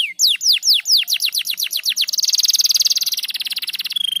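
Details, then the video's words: Crested canary singing continuously: a quick series of falling whistled sweeps that tighten into a rapid rolling trill lasting about two seconds, finished by a short clear whistle. "Kenari Jambul Gacor Rapat"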